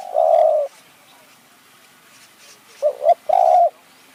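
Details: Spotted dove calling to lure wild doves in high forest, Kanchanaburi, Thailand, in the nun ang style. A long steady coo, a pause, then a bouncing double note leading into another sustained coo.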